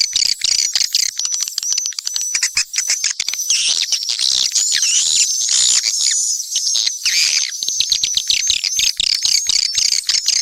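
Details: Mixed swiftlet calls: a dense, continuous chorus of high, rapid chirps and twitters, loud throughout with constant overlapping clicks and trills.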